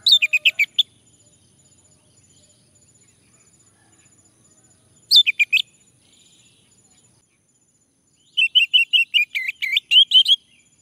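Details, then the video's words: Male orange-headed thrush prompted to sing: quick runs of bright chirped notes, a short burst mid-way, then a long rapid string of about a dozen rising and falling whistles. "Anis merah jantan, agar bunyi"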